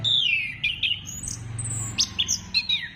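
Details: Orange-headed thrush singing, a recording meant to stimulate other birds to sing: a long descending whistle, then quick high chirps and short piercing slurred notes over a low rumbling hum.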